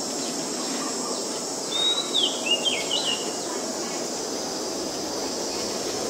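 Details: Oriental magpie-robin, a very common resident, recorded on a Nikon P1000 in Ubon Ratchathani, Thailand, on 19 March 2022. A brief burst of clear high whistles, with a long note and quick sliding twists, over steady insect hiss.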